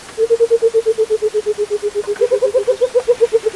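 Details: A Burchell's coucal (Centropus burchellii) out in the open on a misty morning near Crocodile Bridge, Kruger, calls: a fast, hollow bubbling series of low hoots that slowly descends, then a second, slightly higher falling run.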